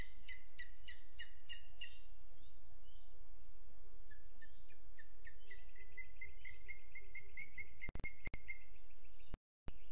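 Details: Booted eagle, 12 June 2022 at 07:20, webcam in Sierra de Guadarrama National Park: a short burst of harsh repeated notes, a brief lull, then another rapid series of high, clipped calls, with dropouts near the end.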